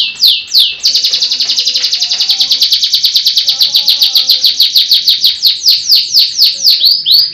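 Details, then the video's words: Caged Russian-type canary owned by a keeper in Pemalang, Central Java, Indonesia, singing a loud, rapid, continuous song: fast repeated high trills and rolling chirps, notes clipped several per second, with brief whistled slurs at start and end. "Kenari RUSIYA"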